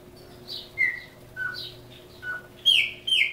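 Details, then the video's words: A caged chopi blackbird, native to Brazil, sings a string of clear, sliding whistles, about one every half second, ending in louder, harsher bursts; a faint steady hum runs underneath. "Pássaro Preto Criôlo Canto"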